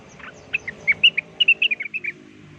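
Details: Blue-winged leafbird, or rengganis, singing as a lure: a short warbling string of rich, clear whistled notes, some slurred and doubled, with faint background hum.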